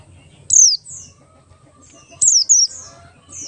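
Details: High-pitched Oriental white-eye (Buxtoni) ngalas song, a lure meant to prompt other white-eyes to sing: a single steep down-slurred whistle, then after a pause a quick pair of thin falling notes, with soft low background hum.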